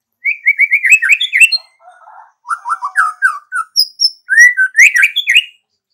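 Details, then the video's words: White-rumped shama in energetic song, pouring out quick chains of slurred whistles, a soft low rattle, then more rolling phrases and rising squeaky notes; no other animals or noise heard. "MURAI BATU GACOR"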